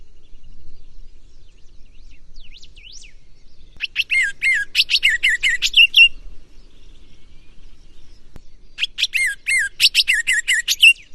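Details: A green-winged saltator delivers its gonga song: soft thin slurred whistles, then two energetic bursts of quick, strongly modulated whistled notes, each lasting about two seconds, with a pause of nearly three seconds between them.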